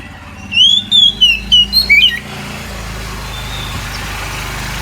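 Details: Oriental magpie-robin at midday giving a series of about six sharp, clear whistled notes within two seconds, followed by a steady engine-like rumble and hiss with no more song.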